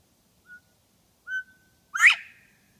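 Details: Reintroduced quail in Bernheim Forest near the Education Center, 2014; a soft short whistle, then a louder steady whistle, then a loud sharp rising burst closing the three-part call, in a quiet setting.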